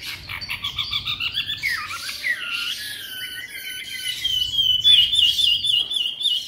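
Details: White-rumped shama, three months old and kept caged in Hanoi, Vietnam, sings persistently: pulsed chattering notes, a sliding whistle, then a thin high rapid warble.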